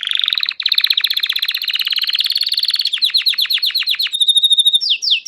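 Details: Painted Belgian canary singing a loud, continuous song: long rapid rolling trills of repeated high notes, shifting into choppier clipped phrases, then a brief steady pure note and closing sweeping slurred whistles.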